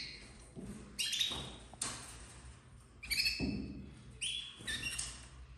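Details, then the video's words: Domestic canary chicks from a 2024 breeding of red, yellow and white birds, crested and uncrested, in intense and frosted shades; thin high whistled calls come in short bursts with low knocks and thuds between them in an indoor room. "Filhotes de canário doméstico 2024 vermelho nevado"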